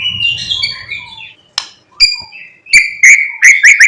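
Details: White-rumped shama morning song, rich in mimicry, played to make other shamas sing. After a muted warble, sharp isolated clicks and a falling whistle give way to a bright burst of quick chirping notes repeated several times a second.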